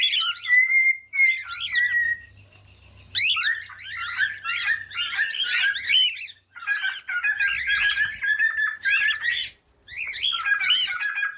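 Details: Cockatiel singing a busy, warbling song of rapid chirps, squeaky slurred notes and short squawks. The phrases come in bursts separated by brief gaps, with a steady whistled note near the start and a faint low hum underneath.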